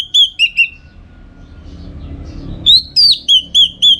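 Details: Orange-headed thrush from North Bali, kept to train contest birds: three clear downslurred whistles, a pause, then six loud ringing whistles, the second rising and swooping, spaced about a quarter second apart.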